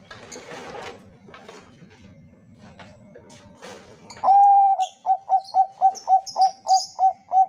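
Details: Bangkok zebra dove song meant to prompt other doves to sing: after several seconds of murmuring background noise, a long steady coo bursts in, followed by a quick regular series of short coos; faint high chirps above.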